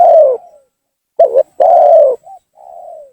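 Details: Spotted dove used as a lure to draw rival doves down: loud low hollow coos around 600 pitch, a long falling coo, a short doubled note, another long coo, then soft trailing notes, in a quiet room-like setting.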